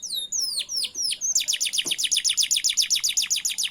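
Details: Canary singing, offered to teach canaries to sing: descending whistled sweeps, then a fast, steady series of repeated bright notes, about six per second.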